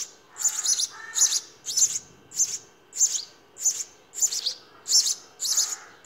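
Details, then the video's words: Nest of house sparrow babies calling for food as they are fed, a regular pulse of piercing, scratchy chirps with faint lower murmurs under some. "Sparrow feeding babies in nest"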